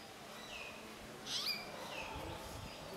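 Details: A Southern hill myna in Sri Lanka gives one sharp, shrill whistled note mid-way, framed by softer curving whistles before and after, over a steady hiss of background noise.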